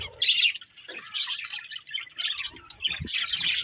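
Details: Breeding pair of budgies squawking and chirping in quick irregular bursts, scratchy high chatter with brief gaps and one low thud.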